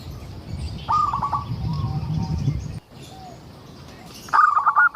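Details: Local zebra dove used to lure others into song; one stuttering phrase of quick notes over low rumbling noise, then quieter soft tones, and a final bright pulsed phrase after the background noise drops.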